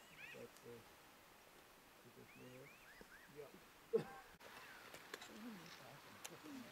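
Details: A flock of Pinyon jays at Owens River, California, in 2012 gives a loose series of nasal, mewing calls that rise and fall, several in the first three seconds, while people talk over them.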